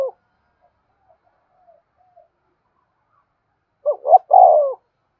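A spotted dove gives a quick, low, hollow coo of a few soft notes after near silence.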